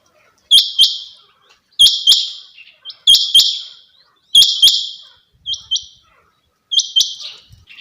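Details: Series of crisp, high double notes from a female quail, each call two quick piercing chirps, repeated steadily about every 1.3 seconds in a quiet setting.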